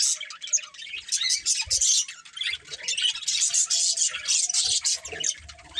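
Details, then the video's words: Colourful pet budgies, a breeding pair, chirping in quick bursts of sharp squeaky notes and warbles that pulse roughly every half second, with soft knocks underneath. "Cute Colourful Budgies Chirping Sounds"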